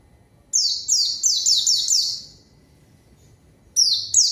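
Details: Pleci (white-eye) in full song, used to lure and answer a rival: bursts of high, thin, rapidly descending whistled notes, about five in quick succession, then a pause and two more bursts.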